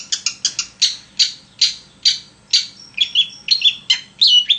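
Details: Long-tailed shrike in strong song, used as a lure to make other shrikes sing: sharp, harsh, buzzy notes repeated roughly every half second, shifting into quicker whistled, slurred phrases.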